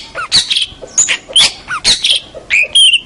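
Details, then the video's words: Master singing of a local champion long-tailed shrike: a varied, rapid medley of short whistled slurs, squeaky notes and scratchy chatters, each lasting a fraction of a second, packed closely together. "Kicau Masteran Cendet Master Pentet Juara Cendet Lokal Oke"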